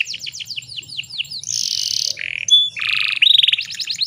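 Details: Female canary in breeding condition, calling to entice males into singing: quick repeated high downslurred chirps, a buzzy harsh burst, a brief low note, then rattling trills and fast repeated chirps.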